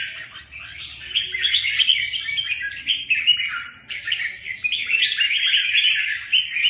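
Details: A fight between two Huế red-whiskered bulbuls, one 'bướm', one 'tê giác': rapid, scratchy chatter rolls on continuously, dipping briefly just before the fourth second before surging back even louder.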